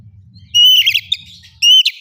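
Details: Oriental magpie-robin singing in the ngeplong style, used as a lure to prompt other birds to sing: two loud, clear whistled notes held level, each followed by a quick rough warble, with a low hum beneath.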